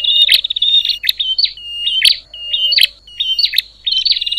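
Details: Bar-winged prinia making noisy calls said to stir up other prinias: a buzzy chatter, then a run of short flat whistles each closed by a sharp click, repeated about every half second, ending in another buzzy trill.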